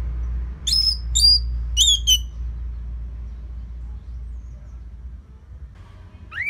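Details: Orange-headed thrush song played to draw out and tutor other songbirds: three ringing, sliding whistles in quick succession, then a long pause over a low background rumble, ending on one rising note.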